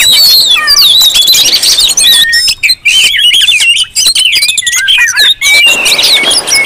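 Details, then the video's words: Provocation lure of noisy Oriental magpie-robins: piercing whistled phrases and rapid twittering stack on each other, broken by a few brief gaps. "Suara Kacer ribut Rame Banget sangat cocok buat pancingan"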